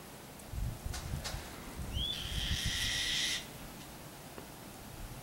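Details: White-tailed kite from a pair that frequents front-yard redwoods in the middle of town, Petaluma, California, 11/2/11: a quick upslurred whistle leads into a coarse, scratchy rasp held for over a second against a quiet background with faint taps.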